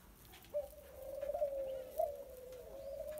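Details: A very tame young wild-type grey Barbary dove gives one long, low, soft coo lasting over two seconds, with a slight wavering swell partway through, in a quiet room.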